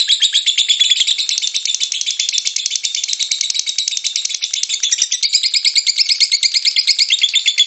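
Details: Lovebird ngekek, a long chattering song played to lure other lovebirds into singing. One unbroken, very fast, shrill rattling chatter runs through the whole stretch, dense and buzzy, slightly shifting in pitch midway.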